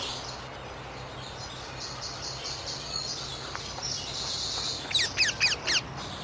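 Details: Wild rose-ringed parakeet in Amsterdam, the Netherlands: four shrill, raspy screeches in quick succession after a quieter stretch of faint high chirping from other birds in the background.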